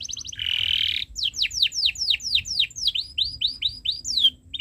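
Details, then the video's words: Canary tutor song for young birds: a short rattle and buzzy trill, then a slow series of about a dozen loud downward-slurred whistled notes, ending in a sharp swept chirp. "Suara Burung Kenari ● Masteran Kenari Paud Belajar Bunyi | Kenari Gacor Cuit Cuit Panjang"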